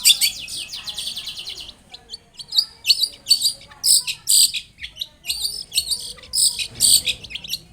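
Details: Long-tailed shrike singing as a lure to make shrikes respond: an opening rapid high trill, then a long series of varied sharp chirps and buzzy high notes in quick irregular bursts.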